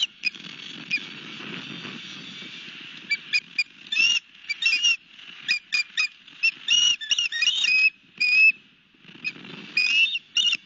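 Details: Osprey at a nest on Long Beach Island, New Jersey, at Barnegat Light, with a fish, evening of 31 March 2021. Series of short, sharp whistled chirps, repeated in quick bursts, over a steady low wind rumble.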